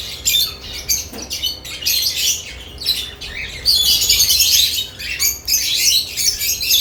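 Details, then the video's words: Chattering lovebirds around new nest boxes give clipped, high chirps at first, then swell into a thick, squeaky chorus of overlapping calls. "Lovebirds add nest boxes activity & chirping sounds"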